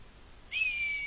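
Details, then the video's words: Red kite perched on a feeding post in Spain on 3 January 2023, giving a high, drawn-out whistle that starts abruptly and holds steady, slightly falling, against quiet background. "La llamada del milano real"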